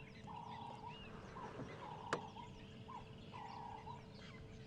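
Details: Ring-necked (Cape turtle) dove near a dam on a rainy-season morning safari drive on 25 November 2014, giving steady, level cooing phrases, several in a row, over a soft chorus of distant chirping birds, with one sharp click.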